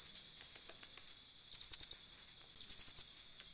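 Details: Asian glossy starling, a kept songbird, delivering cililin-filled 'nembak' song. It gives short bursts of five or six high, sharp, stuttering notes about once a second, with soft isolated ticks between over a thin steady tone.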